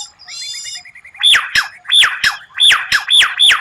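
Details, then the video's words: White-rumped shama with a strange, rare 'tembakan' phrase: a soft buzzy rattle opens, then loud downslurred whistled notes repeated about every half second. "Masteran murai batu tembakan langka, suara aneh tapi memukau lawan"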